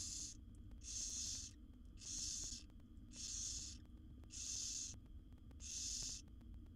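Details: Wild barn owl owlets, seven siblings in a nest box during a feeding by their mother, utter six harsh hissing snore calls, each about half a second, spaced regularly with faint ticks between.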